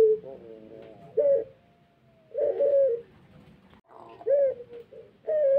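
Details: A Barbary dove recovering from tail damage, its voice not yet at full strength, gives low, rounded, drawn-out, slightly rising coos in short bursts every couple of seconds over a faint indoor murmur.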